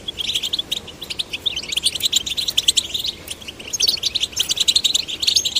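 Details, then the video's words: Male and female goldfinch chicks prompted to sing; quick bursts of bright, high twittering that build into a thick chorus of rapid chirps and trills toward the end. "Stimulating male and female goldfinch chicks to sing birds chirping"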